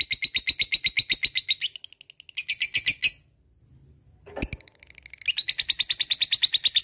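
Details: Lovebird giving ngekek, its long chattering trill used as bait to prompt lazy lovebirds to sing: fast rapid-fire high notes for nearly two seconds, a brief harsher burst, a pause and a sharp note, then the trill resumes.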